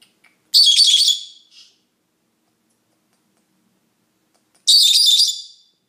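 A Senegal parrot gives two harsh, shrill screams about four seconds apart, each lasting under a second; nothing else is heard.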